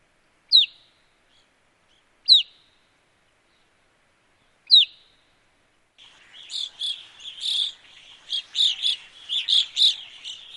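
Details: Evening Grosbeak in Wisconsin gives three loud, clear, downslurred notes about two seconds apart, then a dense run of overlapping chirps.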